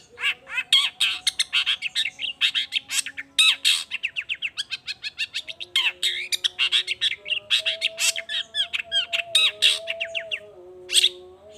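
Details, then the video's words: Long-tailed shrike in full, emotional song: a dense, rapid stream of harsh chattering, squawky notes and quick rising chirps lasting over ten seconds, with faint sustained tones in the background. "Cendet Gacor Efektif Pagi Siang Sore Rajanya Bikin Cendet Lainya Spontan Nyaut Bunyi Penuh Emosi"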